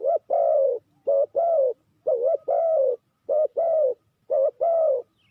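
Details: Spotted dove used as a lure for trapping, cooing loudly in four clear pairs: a quick dipped note then a sustained mellow coo, roughly one pair per second.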